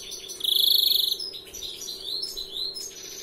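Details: European greenfinch, first-year 'larguero' singer: a loud, rapid, pulsed trill of about seven-tenths of a second followed by quick rising and falling twittered notes.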